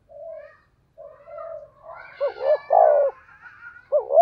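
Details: Spotted dove in a thunder-style voice, used as a lure to stimulate other doves: soft low coos, then louder throaty bubbling coo notes in short bursts.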